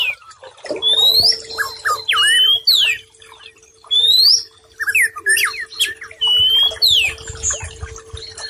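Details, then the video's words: White-rumped shama song used as a training recording for stressed birds that have stopped singing: loud, clear whistled notes sweeping upward and downward, phrases in bursts with short pauses, a steady low hum underneath. "Masteran Sekaligus Terapi Brainwave Murai Batu Stress Dan Macet Bunyi"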